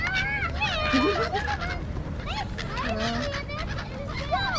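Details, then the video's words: A flock of birds flying around Marina Mall in Kuwait gives rapid, overlapping squeaky chirps and bent tonal calls, some high and some low, against continuous crowd noise. "Angry Birds at Marina Mall (Noisy Birds)"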